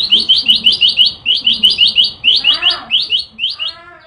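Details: Yellow-bellied prinia (Prinia flaviventris) in full, persistent song gives a fast run of high, upslurred chirps, about six a second, with a brief break; a lower, buzzy harmonic sound intrudes near the end.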